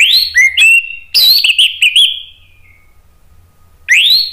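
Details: Provoking lure song of an orange-headed thrush. It opens with a rising whistle and a level note, then a burst of bubbling, warbled notes that trail into a fading whistle. A rising whistle returns after a pause.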